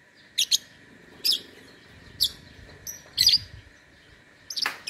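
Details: Contest lovebird from Singkawang, West Kalimantan, in an online singing competition: five widely spaced, harsh high chirps, some doubled, separated by pauses of about a second, with a constant background hum.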